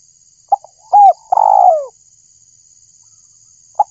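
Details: Spotted dove call for luring birds: a brief note, a hooked coo and a long falling coo, with a short note closing the clip and a constant faint high whine behind it.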